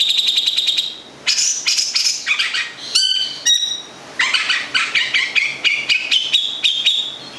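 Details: Song of a local long-tailed shrike, Gedong Songo, Central Java: a steady stuttered note series, then squeaky warbled phrases, two sharp clicks, and a run of rhythmic chattering notes rising in pitch.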